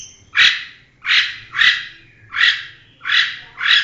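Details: National champion long-tailed shrike producing six harsh, rasping bursts spaced about every half second to second, broad and grating, after a brief high whistle at the start.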